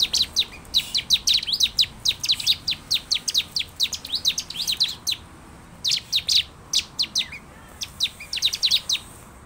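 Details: Bar-winged prinia lure song for caged birds: rapid, stuttering chains of high, thin chirps, dense at first, then looser clusters after a brief pause, with a quiet background.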